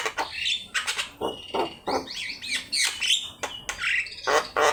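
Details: Energetic gacor singing of a Javan myna (jalak kebo) used as a training master: harsh rasping bursts alternate with bright whistled swoops and chattering notes, about three per second, irregular rhythm.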